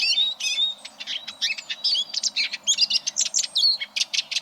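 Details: Eurasian siskin song used for training competition canaries: thin whistles and twitters that grow into a run of loud, evenly spaced chirps repeated several times a second.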